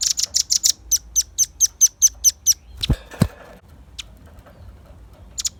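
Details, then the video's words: Velvet-fronted nuthatch, a lively bird in full voice, used to lure birds and to train songbirds: about a dozen sharp, very high chipping notes in a fast, even series, followed by a few clicks and knocks. "Suara kicau pancingan burung rambatan paruh merah gacor"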